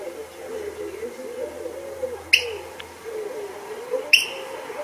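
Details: Eurasian oystercatcher calling at the inner harbour, St Andrews, on the Fife coast of Scotland: two sharp, shrill peeps nearly two seconds apart, one faint short note between, set against a constant low droning hum.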